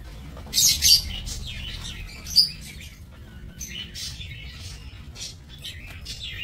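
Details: Lovebirds kept for breeding in an aviary, recorded 22 November 2024; shrill, high chirps and squeaky bursts come in uneven clusters, loudest near the start, with softer chatter continuing over a low background hum.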